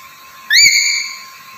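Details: One clear whistle from a black-capped lory, rising sharply and then holding a steady bright tone for about half a second before fading.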